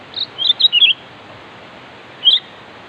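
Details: Sooty-headed bulbul giving a lively challenge call to a rival. A tumbling string of four bubbly whistled notes is followed after a pause by one short slurred whistle, over even background hiss.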